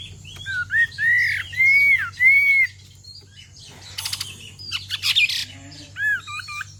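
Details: Female Chinese hwamei calling to draw out male song. Long, clear, arched whistles repeat three times, then come scattered sharp clicks and a pair of short warbled phrases.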